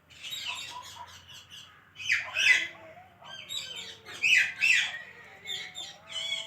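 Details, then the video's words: Pet parrot talking: a run of varied, harmonic, voice-like syllables and squawky bursts, with louder rasping phrases around the middle and near the end, over a quiet low hum. "Adorable Talking Parrot"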